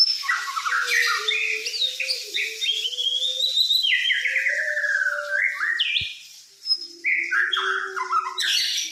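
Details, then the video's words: Fighter white-rumped shama in full song: a long run of varied whistled phrases, slurred rising and falling notes and buzzy bursts, briefly pausing near the end, over a faint low tonal hum. "murai fighter"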